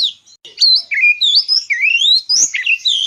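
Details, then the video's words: Chirping bird pours out a rapid, varied stream of high whistles, swoops and short twittering notes for the whole stretch after a brief quiet start. The background is clean. "BIRD CHIRPING SOUND"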